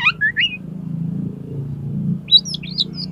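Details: Oriental magpie-robin challenging a rival to fight with tail opened: a few rising and falling whistled phrases at the start, a pause over low rumbling hum, then quick twisting chirps.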